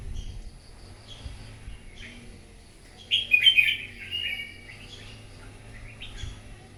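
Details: Wild-caught red-whiskered bulbul singing competitively in the morning: a loud, rich warbled phrase of quick rising and falling notes midway, with fainter scattered chirps before and after, over a low background hum.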